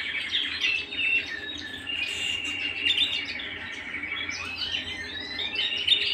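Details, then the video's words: Canary singing at home, a varied warbling run of chirps, short trills and whistled slurs, fairly even in loudness with quiet room background. "canary bird - canary singing - canary sounds - canary singing at home"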